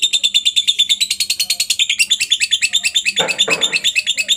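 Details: Lovebird singing long ngekek as master recording for training other lovebirds: a fast, even chatter of high buzzy notes, about three per second, with a brief lower rasping burst near the end.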